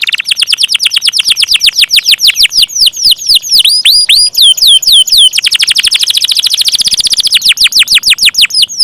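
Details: Extended canary roll in 'gacor ngeroll panjang' style: a fast stream of descending notes slows into wide curved whistles, then speeds into a very rapid high rattle.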